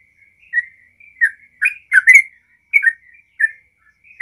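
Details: Trucukan, the yellow-vented bulbul, singing as a lure to set other bulbuls singing: scattered short liquid phrases with gaps between them, a few louder doubled notes near the middle.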